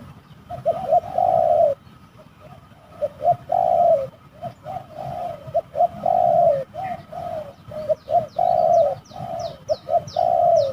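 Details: Spotted dove heard while fighting near a decoy trap at an eerie site; repeated phrases of short notes followed by long harsh coos, about every two seconds, with a small bird's rapid high chirps near the end.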